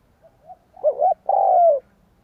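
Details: Single spotted dove coo phrase for luring wild birds: soft faint introductory notes, a rising-falling double note, then one long mellow coo dropping in pitch.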